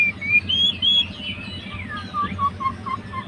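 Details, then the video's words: White-rumped shama, a fighter bird, singing to provoke a rival: clear high whistled notes, then lower slurred phrases and a short run of repeated falling notes, over a low background hum. "MURAI MACET MALAS BUNYI LANGSUNG RESPON."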